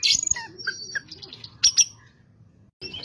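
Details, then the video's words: Oriental magpie-robin (Kacer) in full song, used as a lure to stir up other birds: bright sharp chirps and brief whistled notes in quick bursts, then a short pause before a high whistle resumes, over a soft low background hum. "pancingan burung Kacer gacor ini bisa mendobrak emosi Kacer anda"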